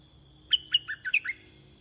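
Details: Sharp whistled phrase from a red-whiskered bulbul while luring wild birds with a caged one, about six clear notes swinging between high and mid pitch in under a second, with quiet electrical whine.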